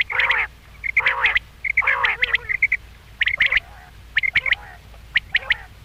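A common quail gives bursts of two or three quick, nasal, rasping notes, repeated about every second. Faint background hum.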